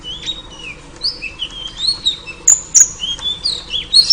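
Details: Luring call of a female oriental magpie-robin meant to draw a male: scattered short whistles and upslurred chirps, quiet at first, then quicker and louder, broken by two sharp clicks.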